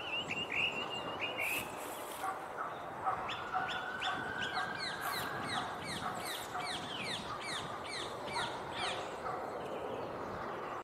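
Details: Song thrush singing from a tree near an obelisk in winter sunshine. It delivers a fast run of short, sharp, repeated notes after an opening whistled phrase, a busy, rhythmic stretch of song over light ambient noise.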